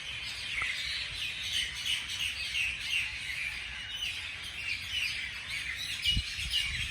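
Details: Morning bird chorus: many birds chirping together in dense, overlapping high twitters and tweets, a steady bright wash of calls with a faint low rumble underneath.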